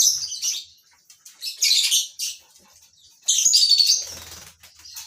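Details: Lovebirds housed together in a colony breeding setup, giving quick harsh chirps and a longer buzzy screeching burst, with high chattering continuing throughout.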